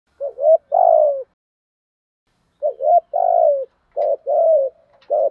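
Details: Spotted doves, male and female, in the loud, clear 'thổ thúc gù' cooing style used to stimulate birds in training: low hollow coos, two short notes then a long falling note, two phrases separated by a pause, then a quicker third.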